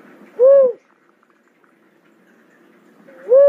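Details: Cuckoo-dove calling: a single clear, hooted note that swells and falls, followed about three seconds later by a second matching note cut off at the end, over a faint low background hum.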